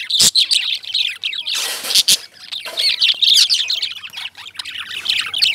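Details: Excited high chirping and scratchy chatter from Indian lovebirds, swelling into a loud, noisy burst near the middle, with a sharp click at the start and a soft low hum.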